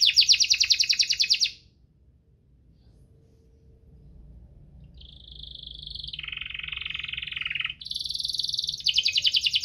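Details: Singing canary in the rolling 'ngerol' style, meant to stimulate reluctant singers: a fast high trill, a pause of nearly three seconds, then a rising buildup into rapid buzzy rolls that step between pitches.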